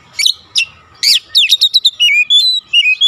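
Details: Oriental magpie-robin in energetic lure song to trigger other magpie-robins: harsh rasping notes give way to a rapid chain of clear, slurred whistles, rising and falling in quick succession.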